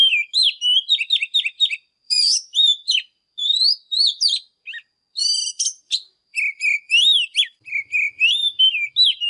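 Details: A captive Oriental magpie-robin singing and displaying in the morning gives a loud, varied run of sweet whistles, slurred notes and harsh chattery phrases in quick bursts with brief pauses, recorded as song training for young birds.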